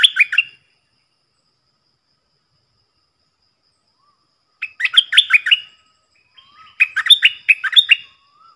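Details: Decoy bulbul, one of four decoy birds recorded in the real forest, giving rich liquid chattering phrases of rapid bubbly notes, three bursts separated by several seconds of silence, with a faint low whistle between.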